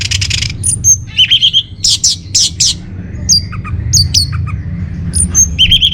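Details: An orange-headed thrush delivers a varied master song for caged birds, mixing bright trilled whistles, repeated bursts of rasping notes, and sharp downslurred phrases in a lively, irregular rhythm.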